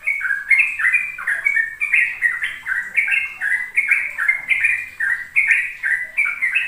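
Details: Sooty-headed bulbul singing continuous 'ropel' song, used to coax juvenile birds to learn. Clear, rapid whistled notes rise and fall in a steady, unbroken stream, with faint thin squeaks high above.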